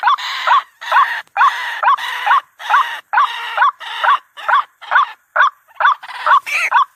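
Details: Lure call of the white-breasted waterhen for trapping: long, harsh, buzzy croaking phrases with rising inflections, repeated in a steady rhythm and shortening toward the end.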